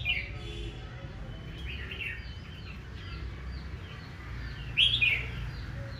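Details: Morning competitive song of a red-whiskered bulbul, aggressive singing meant to excite males; faint distant warbles give way to one loud, bright, rapid whistled phrase late on, above a low constant hum.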